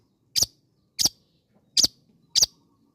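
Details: Long-tailed shrike used to provoke other shrikes, giving four sharp, high, clicking chip notes spaced a little over half a second apart, with faint low background hum.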